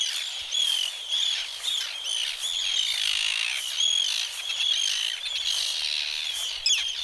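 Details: Several Arctic terns dive-bombing an intruder at Trékyllisvík on the Strandir coast of Iceland. Harsh, grating high calls overlap without pause, with short down-slurred squeals rising above a steady chorus of the colony.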